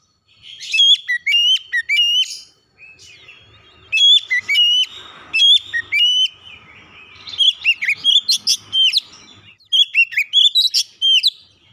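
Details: Home-kept Oriental magpie-robin song meant to stimulate a silent caged bird to start singing; repeated bursts of loud whistles and sharp chirps, several phrases separated by short gaps, lively and varied throughout.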